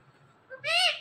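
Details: Pet Indian ringneck parrot talking: a brief soft syllable, then a strong, bright, nasal voice-like word with many harmonics arching up and down, ending around one second.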